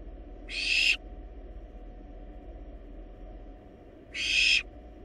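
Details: Wild barn owl nestlings in a research nest box, feeding on a large rabbit, give two short harsh hissing screeches about three seconds apart, with a low background hum.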